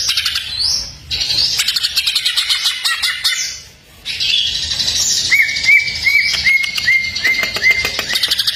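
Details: Greater green leafbird tutor song full of fill-in phrases: busy overlapping buzzy trills and upswept whistles, then a neat series of about eight short hooked whistled notes, evenly repeated, over continued chatter.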